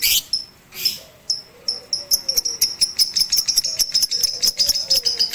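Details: Lovebird kept on a rooftop and trained with a master recording on 18 April 2021 so it sings longer and more often. After a few scattered notes, rapid, regular high chips build into a steady, pulsing chatter.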